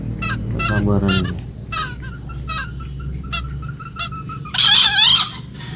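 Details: Young green junglefowl, four months old: a few short clucking notes and a falling squeal, then a loud, harsh, quavering crow near the end over a low background hum.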